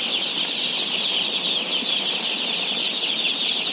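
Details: Thousands of day-old chicks in a flock of about 17,000 during feeding, their high peeps merging into one dense, steady shrill chorus with no pauses and nothing else standing out.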